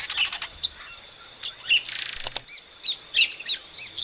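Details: {'caption': 'Epaulet oriole singing a quick medley of bright whistled slurs, looping up-and-down notes and brief rasping noisy bursts, delivered in a fast, irregular sequence.'}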